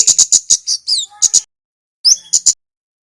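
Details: A male red Javanese flowerpecker, recorded to train other birds, gives rapid piercing ticks mixed with wavering high slurred notes, then a pause and a short rising note with two more ticks.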